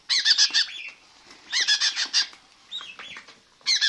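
A young red-rumped parrot gives bursts of harsh, raspy chattering notes, four or five in quick succession, then pauses before starting again.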